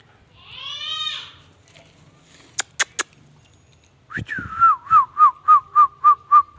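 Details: Indian ringneck parakeet: an opening harsh, buzzy note, then a few sharp clicks, followed by a run of quick whistled notes repeated steadily, each dipping and level, about three per second.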